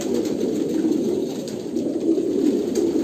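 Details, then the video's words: Brief stretch of Kolkata pigeons giving soft, rolling, low-pitched coos that overlap into a constant murmur. "kolkata pigeon"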